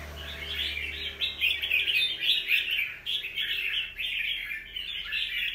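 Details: Rapid, scratchy chatter of a wild-caught young red-whiskered bulbul, recorded 25 December 2023, runs continuously in quick repeated chirps with a faint low hum at the start.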